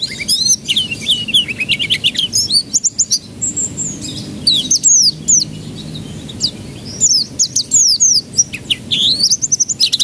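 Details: Canary song used as a lure so young birds break into song: ten seconds of continuous high trills, swooping whistles and buzzy rolls, with tempo changing between fast rattles and slower slurred phrases.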